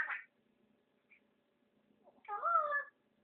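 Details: Talkative male African grey parrot known for full sentences: a brief raspy burst, a tiny click, then a drawn-out, wavy, meow-like harmonic phrase in a quiet room.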